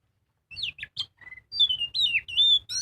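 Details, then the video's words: Magpie-robin singing gacor, full ngobra style, as lure material for other birds: short bright upslurred and downslurred whistles, a soft trill, then a run of loud sweeping whistles ending in a high clear note. "Pancingan burung kacer gacor full ngobra"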